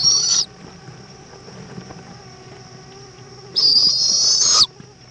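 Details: At an owl nest in Indiantown, Florida, 7:20 pm, February 11, 2014, the mother returns with a bug for the chick: two breathy, grating screeches about three seconds apart over a faint hum.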